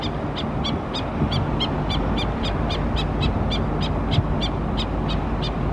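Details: Mother Black-necked stilt calling an alert to foraging chicks at Oso Creek in Laguna Niguel, California, late April 2017: a long, regular run of short, sharp kek-like notes, steady and insistent, over a broad low hiss.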